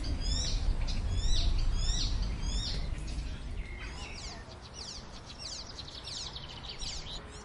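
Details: Icterine warbler (Hippolais icterina), song.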